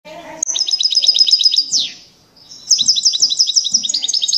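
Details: European goldfinch singing loudly: rapid, bright, high-pitched twittering trills of repeated tinkling notes, about four per second, broken by a short descending buzzy note and a brief pause before the fast trilling resumes.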